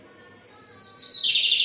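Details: A Lined Seedeater of the pardinho type sings firmly, giving a high, clear whistle that slides slightly downward, then breaks into a loud, buzzy, rattling phrase.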